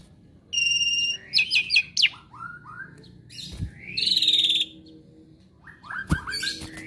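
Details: Asian pied starling, a kept bird known for copying other birds' sounds, delivers a varied run of whistled notes, chattering bursts and a long rising buzzy phrase, broken by brief pauses, over a low background hum.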